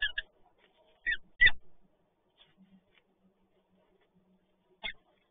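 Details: Peregrine falcon 5CB at PGE Toruń with prey, 30 March 2022, giving four short, harsh, scratchy calls, three bunched in the first second and a half and one more after a pause, with faint knocks between.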